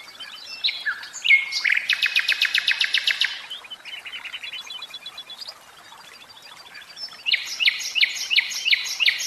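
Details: A caged common nightingale pours out a loud rattling run of rapid notes, a softer stuttering section, a pause, then a set of repeated sharp chirps.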